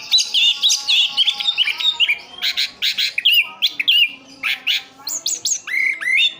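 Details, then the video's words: Orange-headed thrush in a cage, East Java, singing rhythmic bursts of clipped whistles and chattering notes about twice a second, with sweeping upward slurs toward the end. "Anis kembang "Anti Gempa". Rooll full"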